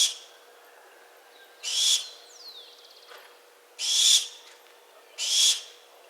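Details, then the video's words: A series of barn owl screeches: one ends as the recording begins, then three more harsh, noisy hisses come at uneven gaps of about 1.5 to 2 seconds, with a thin descending whistle early on. "Sound Barn owl"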